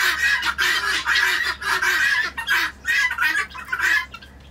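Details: Morning clamour from a Lovettsville flock of about twenty helmeted guineafowl: loud, harsh, strained squawks in several bursts, fading toward the end, with a faint low hum behind.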